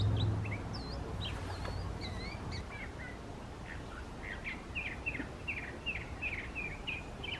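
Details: Song of a mockingbird in a park, mixing many sound types: looping whistled notes and downslurs, then a long string of sharp repeated chips at a steady pace, with low background rumble throughout.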